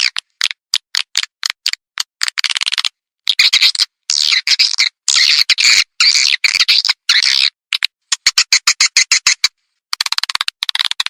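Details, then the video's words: Edible-nest swiftlet calling sound played over a tweeter to lure birds: rapid clicking pulses, then long rasping buzzy trills mid-way, returning to quick clicks. "SUARA PANGGIL BURUNG WALET"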